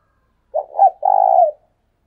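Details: Spotted dove used as a decoy bird, calling hard: a single mellow three-part phrase with two quick soft notes and then a long vibrating coo that slides gently downward. The background is silent.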